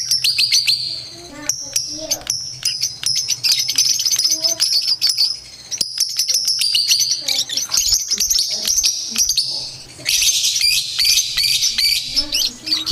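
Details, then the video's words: Chirping lovebirds used as competition bait: continuous shrill, piercing chatter of rapid high chirps, sometimes bunching into dense buzzy runs, with brief quieter gaps and faint lower squeaks underneath. "Long-Lasting Lovebird Bait for Competitions | Full of Typing and Chirping Sounds"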